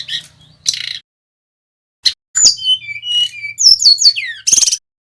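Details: Male brown-chested jungle flycatcher from Bali, a lively rolling song used as a lure to set other birds singing. Short scattered bursts, then a phrase of whistled slurs and clear falling whistles, ending in a harsh burst, with faint low hum.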